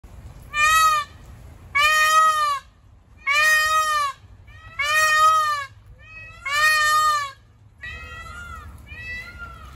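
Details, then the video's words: An Indian peafowl gives five loud, nasal, wailing calls about every second and a half, then two fainter answering calls close the sequence. "Peacock Sound"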